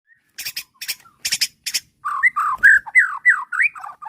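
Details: White-rumped shama song used as bait to provoke a rival bird into answering and showing its repertoire: four harsh buzzy bursts, then a fast run of slurred whistled notes rising and falling.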